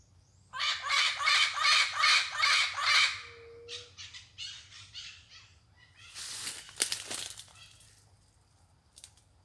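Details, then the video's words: Wild, free-flying parrot calling: a fast rhythmic series of about ten harsh, buzzy squawks, then a softer run of similar notes, a burst of broad noisy rasping, and a low hum throughout. "Papagaio mostrando o seu lindo canto, solto na natureza."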